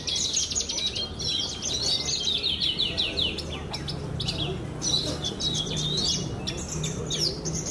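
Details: Competition Javan bush lark of the blorok type sings high, sweeping twitters and rising slurred notes in bursts, over a steady low hum.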